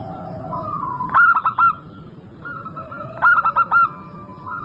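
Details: Local zebra dove (perkutut) song used as a lure to get birds singing: two phrases of soft mid-pitched cooing, each a prolonged note followed by a quick stuttering run of four or five coos, over a steady low background hum.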